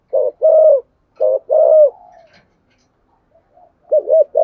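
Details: Spotted dove singing in the 'thổ sấm' (thunder) voice style, a full, well-formed song: deep, mellow coos in short and long phrases, the longer notes dipping at the end, with a pause before the next coos.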